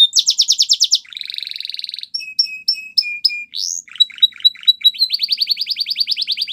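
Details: Song of a Belgian canary, opening with a bright rapid trill, then a buzzy roll, evenly spaced clipped whistles, a rising sweep, chips, and a final fast repeated trill.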